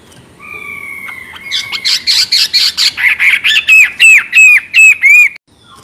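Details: Chinese hwamei beginning with a long, thin, level whistle. It breaks into harsh buzzy notes, then a steady train of loud, clear, repeated whistled notes at a quickening pace that stops abruptly.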